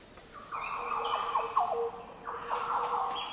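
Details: Deep, fluty Green Oriole phrases in Australia's Daintree rainforest, a mellow warble followed by a second liquid phrase, set against a constant high insect drone.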